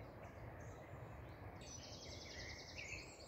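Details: On a morning walk on 24 April, a Eurasian blackcap (Sylvia atricapilla) gives a short, fast warbling burst of high notes ending in a clear, higher-pitched flourish, over a steady low rumble of background noise.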